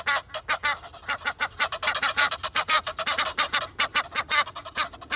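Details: Egyptian geese (Alopochen aegyptiaca) on a rainy day in Kensington Gardens, London: two walking and two in a tree give rapid, harsh, nasal honks, about four per second, overlapping in a noisy chorus.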